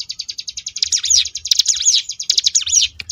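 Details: Sunda bush warbler, known locally as ciblek gunung, singing a ngebrem variation: a rapid, buzzy stream of high repeated notes broken by looping, sweeping whistles, with faint low hum beneath.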